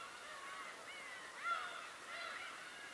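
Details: Birds calling on Tobishima: several overlapping nasal, wavering calls with a louder sharp cry midway, over a steady outdoor hiss.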